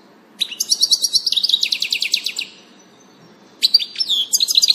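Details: European goldfinch on 19 June 2018 giving fast tinkling twitters, a lively run of rapid chirps lasting two seconds, a short pause, then another bright trilling phrase with rising notes.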